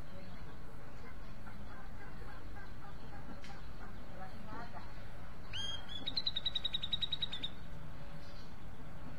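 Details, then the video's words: A grey-cheeked bulbul delivers one short phrase, an upward-sweeping whistle followed by a quick string of about a dozen bright repeated notes, after several seconds of murmuring voices and faint background sounds. "Cucak jenggot mencari teman karaoke"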